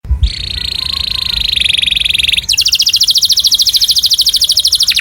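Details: Loud canary song, used as a model for other birds to imitate: a long steady buzzing trill, then a faster pulsed roll that repeats rapidly for about two and a half seconds, with low background rumble.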